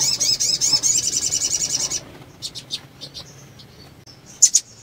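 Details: Female sunbird in breeding condition calling to stimulate males: a two-second run of rapid, high, thin looping notes, followed by scattered short high chips and a brief faint whistle.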